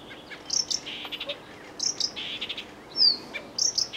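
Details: Blyth's reed warbler (Acrocephalus dumetorum) singing high, clear whistled phrases mixed with quick buzzy chattering notes.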